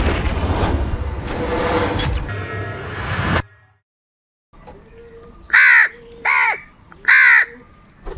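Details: Hungry crows squabbling over food while feeding together: after a burst of loud rumbling noise and a short silence, three harsh, loud caws sound in a row, spaced under a second apart.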